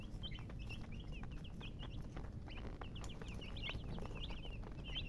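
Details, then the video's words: Chicks chirp in scattered high peeps that grow busier toward the end, short downward-slurred notes amid clicks, knocks and a low steady rumble. "Baby "Chicks Chirping" Sound"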